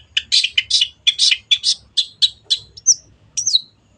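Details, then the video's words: Long-tailed shrike, a kept songbird on a training recording: a string of rough, buzzy chirps about four per second, ending in two thin, high slurred whistles. "MASTERAN BURUNG CENDET GACOR"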